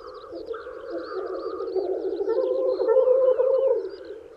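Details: Black grouse males courting females at a spring lek: a low pulsing bubbling chorus that builds to a peak near three seconds, beneath a string of high twittering whistles.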